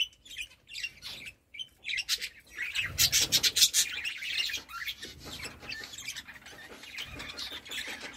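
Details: Several budgerigars chattering together in busy, high-pitched, scratchy warbles and quick chirps, swelling into a dense burst of rapid notes midway before settling into softer continuous twittering.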